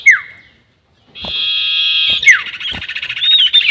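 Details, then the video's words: Sirtu bird call used as a lure for trapping birds, with the long 'nyiul' style: a sharp whistle sliding down, a second of silence, then a long harsh buzzy note that ends in another falling whistle. "SIRTU NYIUL PANJANG ..... ‼️ Cocok Untuk Pikat || Suara Pancingan Sirtu"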